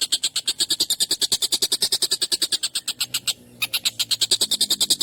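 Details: Collared kingfisher calling excitedly, a long, sharp, harsh call used to tutor songbirds: fast, grating 'kek' notes about three per second, with a short pause at three seconds and then the same rattling series again.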